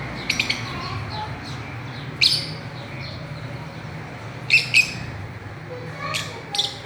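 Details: Fischer's lovebirds swinging and playing, with scattered single and paired shrill chirps spaced a few seconds apart over a quiet hum.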